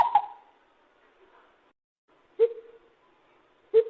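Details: Lesser coucal: a hollow note near the middle pitch, then two lower, deeper hooting notes a little over a second apart, each starting with a sharp onset and fading quickly, with silence between.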